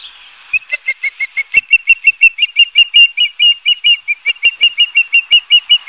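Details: Nest-camera recording of ospreys at Barnegat Light, New Jersey, 12 September 2022: after a brief pause, sharp whistled chirps begin and quicken to about three per second, forming a continuous, insistent piping series.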